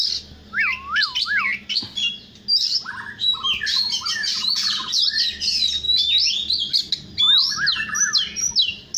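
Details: Morning song of an oriental magpie-robin, a varied medley of sweet whistled loops, sharp high chirps and squeaky phrases, some notes rising and falling in smooth arcs, delivered almost without pause.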